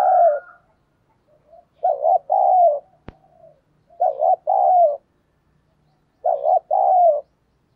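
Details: Decoy spotted dove cooing to attract wild doves, in the thổ sấm voice style. Four deep, soft phrases, each a brief doubled note then a longer coo, with a sharp click between the second and third.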